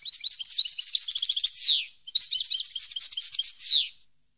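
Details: Two consecutive European goldfinch song phrases, 2015: lively, varied twittering and trilled notes, each ending in a sharp, buzzy falling flourish.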